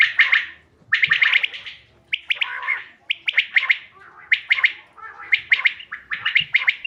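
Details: Common quail hunting-lure calls recorded 5 June 2025: a nearly continuous run of sharp chirped note groups, several per second, with brief pauses and no other clear sounds.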